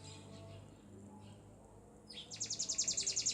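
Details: F1 Lizard canary hybrid (Lizard x local canary) warming up in the morning; after two quiet seconds of low hum, a rapid high-pitched trill of repeated notes begins, loud and regular.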